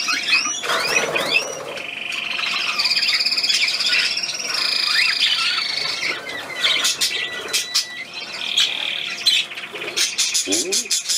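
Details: A small hand-held bird, spoken to as a pocket bird, gives a mix of high chirps, warbling phrases and sustained buzzy trills, with a soft human voice talking to it.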